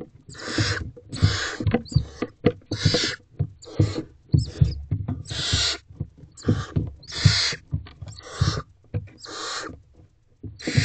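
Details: Nest box full of barn owl owlets at night, jostling to reach their mother, who may carry a mouse. Around nine harsh screeching hisses with constant scuffling, tapping and movement noise between them.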